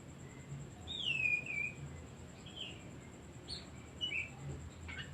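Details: Oriental magpie-robin song, used to stir silent or lazy birds into singing: a long descending whistled slur followed by shorter chirped notes and a brief trill, with a faint steady high tone in the background.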